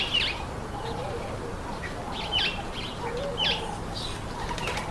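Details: Speckled mousebirds eating an apple give short, sharp chirps around three to four kilohertz every second or so, with softer low chatter and faint wing flutters.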